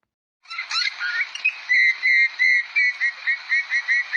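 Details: Eurasian bullfinch song, played back to children during a kindergarten craft lesson. Silence, then a few varied whistles, followed by a steady series of clear, slurred whistled notes, about three per second.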